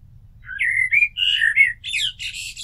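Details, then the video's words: A continuous blackbird phrase of sweet, slurred flute-like whistles that breaks into dense, high, twittering squeaks at the close. "Amsel Gesang - Merle Noir Chant - Blackbird Song - Mirlo Cantando"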